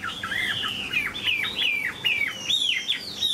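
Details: A large caged Chinese hwamei sings clear, loud whistles that arch and fall, grouped in quick pairs and triplets, with a few high thin notes among them.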